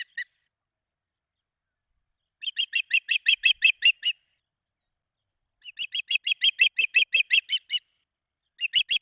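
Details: Osprey at a nest in Charlo, Montana, on 16 June 2024, as the male brings a large fish and the female feeds three chicks: short bursts of about a dozen rapid, high chirped whistles, separated by silent gaps.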